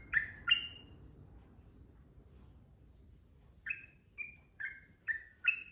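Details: A trucukan (yellow-vented bulbul) gives two loud slurred notes, pauses for about three seconds, then resumes with five quick whistled notes in the ropel style, over a soft background hiss.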